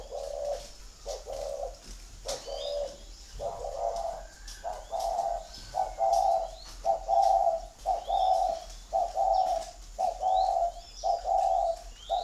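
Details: Gù thổ cooing of a spotted dove at a bird garden in Ba Vì district, Hanoi, Vietnam: a long run of throaty, rolling coos repeated almost every second, a few uneven, with soft high chirps from other birds in the background.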